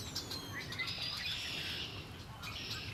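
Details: Lakeside birds at Lake Erie giving a continuous high, buzzy twittering chorus with thin whistled notes, over a low background rumble.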